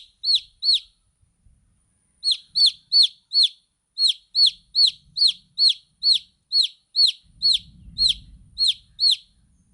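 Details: Chicks chirping: two shrill peeps, a pause, then a long run of about fifteen high, downward-sliding peeps at a steady pace, with a faint low rumble near the end.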